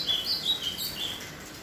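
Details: Ultramarine grosbeak nearing the end of its moult, giving a quick run of clear high slurred whistles, several notes in under two seconds, with soft background hiss.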